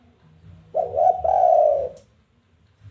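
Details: Challenge call of a spotted dove, meant to lure other doves into calling: low hum, then one phrase of a short coo joined to a long sustained coo lasting about a second.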